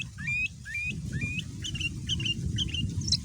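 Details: Singing male sooty-headed bulbul used as a lure to draw replies from other bulbuls. A run of short rising whistled notes repeats about every half second, then turns into quicker chirpy notes over a low rumble.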